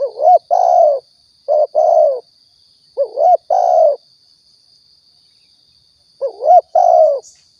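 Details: Spotted dove from Riau, recorded to attract birds for hunting; four coo phrases, each a rising wavering lead-in and a long falling coo, then a pause of several seconds, with a thin constant high tone.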